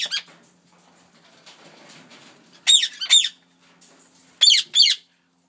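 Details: A white (or yellow) rose-ringed parakeet gives harsh, high screeching squawks in quick pairs, about half a second apart, with faint rustling between the bursts.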